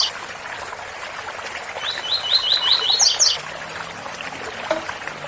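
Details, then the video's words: Tui tui bitola song of a coleiro with cascading water: a short burst of rapid upslurred notes that ends in a couple of higher, doubled chips, then only the constant splash of the waterfall. "Coleiro Tui tui bitola com som de cascata"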